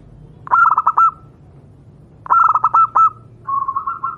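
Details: Local wild zebra dove from Java, recorded so other doves can learn its song: two phrases of rapid, bright staccato cooing notes ending in a drawn-out note, then a steady, even coo.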